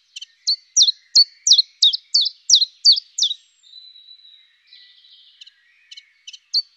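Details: A common chiffchaff delivers about eight high, quick, descending notes in a regular seesaw rhythm, then a thin steady whistle-like tone and faint buzzy sounds, followed by a few scattered short high notes.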